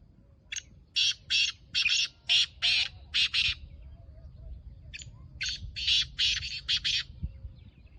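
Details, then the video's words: Black francolin (kala teetar), Gangas Nasal strain, calling in two phrases of rasping, buzzy notes, about six bursts each, paced roughly three per second and separated by a short pause, with soft low background noise. "Kala Teetar Gangas Nasal Black Franclion Voice"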